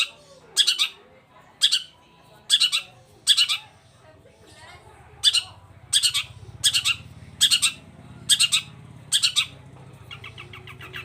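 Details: Long-tailed shrike in lively full song: loud, harsh, scratchy bursts, often doubled, repeated roughly every second in an uneven rhythm, with a low hum and faint chatter underneath.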